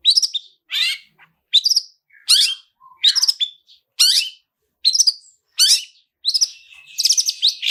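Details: Long-tailed shrike singing the 'toet toet' lure with rich fill-in phrases: varied, scratchy high notes, some sliding down, delivered in a broken run of short bursts, a few with clipped whistles.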